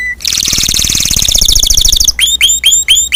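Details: Spanish Timbrado canary singing a long, dense buzzy trill of rapid pulsed notes for two seconds, followed by four clear whistled notes that sweep sharply downward, with a faint low hum underneath.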